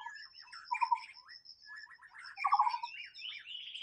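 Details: In the wild, a white-rumped shama pours out dense, varied song: chattering notes, buzzy rattles and rising whistled slurs with little pause. A constant high thin tone runs underneath.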